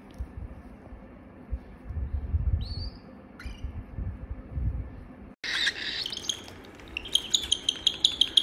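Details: A pet cockatiel gives short upslurred chirps, then loud harsh squawks and a quick run of repeated chirps.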